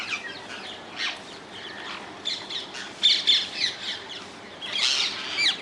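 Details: Wild rose-ringed parakeets in the Netherlands: scattered harsh squawks in short bursts, loudest near the middle and end, with quieter gaps and faint background chatter.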